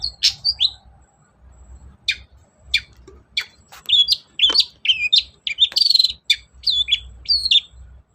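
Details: Long-tailed shrike singing loudly as a lure to prod lazy birds into answering: scattered sharp clicks at first, then a fast run of twisting, warbled high notes and squeaky whistles.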